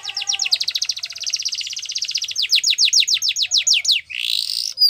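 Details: Yellow canary singing in the wild: fast high rolling trills, then a run of quick sweeping downslurred notes repeated several times a second, ending in a buzzy burst and a sharp upward note; no other sounds.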